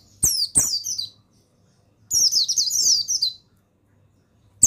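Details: Male buxtoni mountain white-eye singing to prompt other birds to sing; two quick high twittering notes, then a longer rapid run of tumbling, descending chirps lasting over a second, against quiet background.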